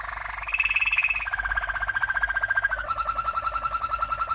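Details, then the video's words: A Malinois (Waterslager) champion canary from 1997 sings a training song of fast, rolling, bubbling, liquid trills at about three to four pulses a second, the pitch stepping down through three levels. "Malinois CANARY From 1997 - 12h Training Song"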